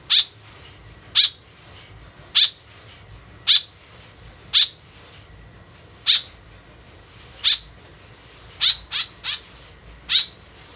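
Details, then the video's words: A lively white-breasted woodswallow (kekep babi), its call used as a lure, utters about eleven short harsh notes, evenly spaced at first, then bunched into a quick triplet near the end. "BURUNG KEKEP BABI GACOR SUARA JADI PIKATAN . SUARA BURUNG KEKEP MENDEKAT"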